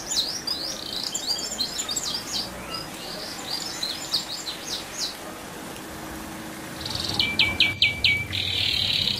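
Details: Canary song for provoking other canaries: a quick rolling run of high chirps in the first half, a short lull, then a loud buzzy trill with clipped notes near the end amid background noise.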